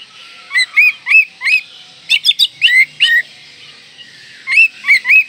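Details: Oriental magpie-robin with a varied, fill-in-rich song used to provoke rivals and stir breeding drive: repeated bright chirping whistles in groups, a cluster of sharp high clicks, then three more swooping whistles.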